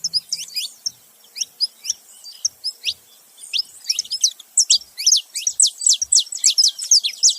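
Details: Male and female saffron finches together: scattered thin chirps at first, building to a dense run of loud, high, falling notes in the last three seconds.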